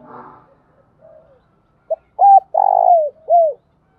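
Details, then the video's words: Spotted dove calling in the thúc bổi or gáy gọi style. Faint murmuring leads into a clear phrase of short clipped coos, then a long buzzy drawn-out coo and a final arched coo, all low and hollow. "tiếng cu gáy thúc bổi & Gáy gọi mới nhất, chim gáy vừa dài và đẹp mã hót hay"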